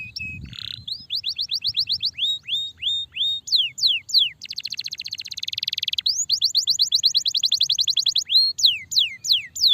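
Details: Starblue canary kept as a masteran training bird, singing a long, continuous, energetic song: rapid runs of high descending whistled notes, a dense buzzy trill in the middle, then more repeated sweeping phrases.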